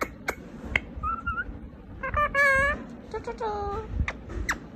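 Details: Indian ringneck parakeet talking: several short speech-like phrases with a nasal, harmonic tone, rising and falling in pitch, separated by sharp clicks and squeaks against a quiet indoor background.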